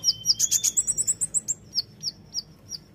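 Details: Sunda white-eye, called konin, in 'tembakan' singing: a dense flurry of high, tinny chirps that slows into spaced single sharp notes, against a hissy, noisy background.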